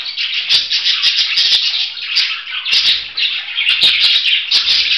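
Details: Budgerigar warbling in loud, rolling bursts of scratchy chirps and squeaks, mixed with frequent rattling clicks and taps throughout.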